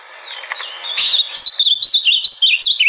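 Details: Ultramarine grosbeak song meant to get a caged bird singing; a steady stream of sweet whistled notes, wavering up and down and slipping lower over a few seconds, with faint chirps before it starts.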